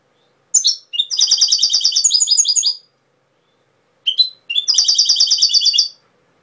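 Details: Two European goldfinch phrases, each starting with a sharp chirp and running into a quick, liquid twitter of repeated high notes, with a pause between them.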